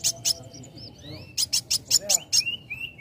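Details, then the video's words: Young sunbird singing as a lure to provoke other birds to sing: quick series of sharp, very high chirps in bursts, with short thin rising whistles between them. "Pancing Bunyi Kowul Muda Gacor"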